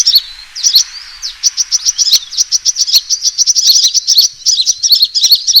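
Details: A sunbird's combative call, used to lure birds into traps: quick runs of thin, high-pitched ticking chirps, nearly continuous after a brief opening pause, ending in a busier twittering flurry.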